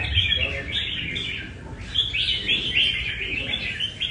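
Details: At a Đà Nẵng café training, a caged Nam Đông red-whiskered bulbul delivers clear, bright warbles in short rising-falling phrases, spaced by tiny gaps, over faint low-pitched noise.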